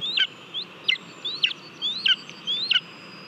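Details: Nest-camera recording of a lesser spotted eagle in Latvia eating a mole, 18 July 2022: sharp high whistled notes, some rising slurs, given at uneven intervals against low background noise.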